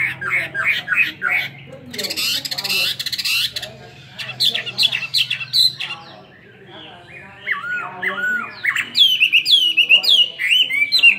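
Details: Chinese hwamei kept caged for two years, singing its fighting song with tail fanned: loud, varied phrases of rapid chattering notes, then ringing looping whistles that bend up and down, delivered in quick bursts.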